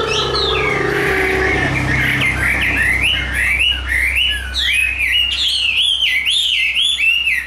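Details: Chinese hwamei held in a cage singing loud, rich whistled phrases, each note swooping down then up, repeated in a rapid rolling series after a brief lower opening.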